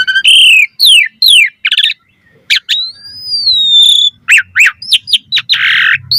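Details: Varied song of an Asian pied starling, meant to attract other starlings, mixing rough churring phrases, quick downslurs, a long smooth rising then falling whistle and a harsh scratchy burst at the close.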